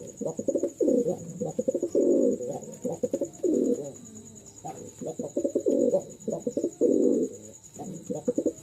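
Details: A male Jalali rock pigeon, one of a pair, gives deep, throaty rolling coos in repeated bursts, with a thin steady whine behind.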